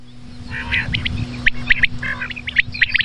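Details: Common quail calling at night: sharp, short clipped notes, mostly in quick pairs and triplets, grow louder through the second half, with a steady low electrical hum underneath.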